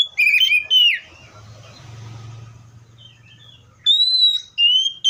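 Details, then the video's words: Seychelles magpie-robin delivering clear, slurred whistles, a short phrase opening the clip and another after nearly three seconds of low background hum. "COPSYCHUS SECHELLARUM BIRDS SOUNDS LIKE IN NATURE LOUD CLEAR SOUNDS"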